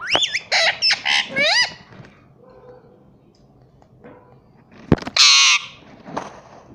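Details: Pet green parrot talking at home, a quick string of harmonic speech-like syllables with bending pitch, then quiet and a sharp click followed by a loud harsh squawk.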